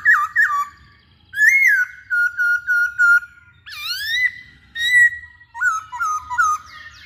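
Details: Masked laughingthrush in full song, delivering clear whistled notes in short bursts. Rising and falling slurs alternate with a rapid series of level, repeated whistles, separated by brief pauses.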